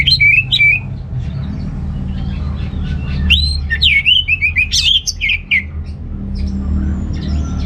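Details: Orange-headed thrush song played to stimulate males lacking breeding drive: a clear whistled phrase, a pause, then a rich run of looping, rising and falling warbled notes over low hum.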